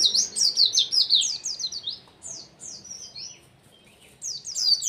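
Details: A white-eye in full competition-style song, used as a tutor recording for other birds, sings a rapid, high, twittering series of sweet descending whistled notes.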